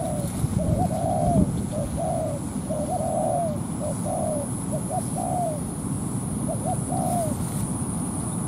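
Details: Decoy spotted dove used in ground trapping, calling to draw a wild bird into a territorial fight: a series of short mellow coo phrases, each ending in a drawn, slightly falling note, against constant low-frequency rumble and a thin high tone.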